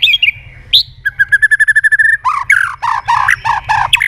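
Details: Lure song of a white-rumped shama (murai batu) packed with sharp fills. Descending whistles and a rising note lead into a rapid rattle of even chips, then loud, harsh, nasal squawking phrases repeated quickly.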